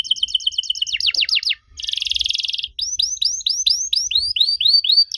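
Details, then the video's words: Canary singing a strange-sounding song used as a lure for young canaries: fast rising whistles, a dense buzzy trill, then evenly spaced upswept chirps repeated several times a second. "Kenari Muda pasti nyaut kalo denger suara aneh kenari ini."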